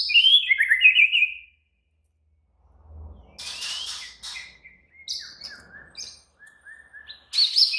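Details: Excited, agitated White-rumped shama singing high chirping whistles, a silent gap, a low thud, then scratchy notes and a string of short clear whistled phrases ending in a loud high burst.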